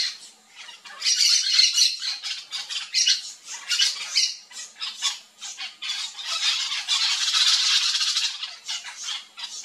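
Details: Yellow-chevroned parakeet flock feeding on fruit in a Brazilian backyard: dense, overlapping harsh squawking chatter, high-pitched and rapid, with scratchy shrieks rising and falling in bursts and almost no pauses.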